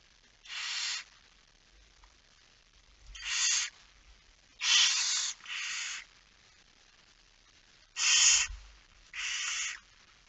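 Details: Barn owl at the nest during a night feeding, 10 September 2019 at 22:45: six harsh, breathy hisses, each about half a second, come in uneven groups, some in quick pairs, over a quiet background.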